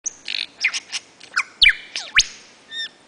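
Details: Male lyrebird singing energetically at his mound among ferns at Sherbrooke in the Dandenongs, Victoria, in April 2008: high whistles, quick chips and sharp sweeping notes over quiet forest background.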